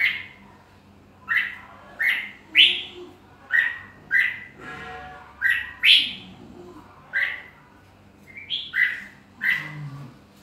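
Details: Series of short, sharply rising-and-falling whistled notes from a red-whiskered bulbul, spaced roughly every half second to second, with a brief pause midway; soft low hum and faint murmurs behind.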